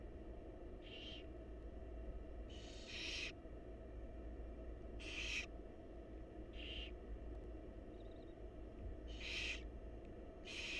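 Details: Wild barn owl chicks in a monitored nest box, begging while their mother feeds them: harsh, hissing, noisy bursts of about half a second each, repeated irregularly every one to two seconds over steady low hum.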